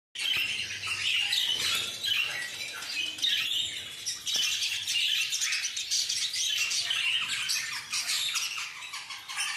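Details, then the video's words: A flock of parakeets chattering together: dense, overlapping squawks and chirps with no pauses, a continuous harsh high-pitched din. "BANDO DE PERIQUITOS."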